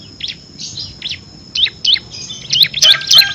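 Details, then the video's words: Bar-winged prinia (ciblek kristal) in 'ngebren' song meant as master recording for competition songbirds: faint scattered chirps at first, then louder sharp notes and a dense burst of rapid high twittering at the end. "FULL NGEBREN‼️ CIBLEK KRISTAL GACOR ISIAN 6 VARIASI COCOK UNTUK MASTERAN BURUNG PRESTASI"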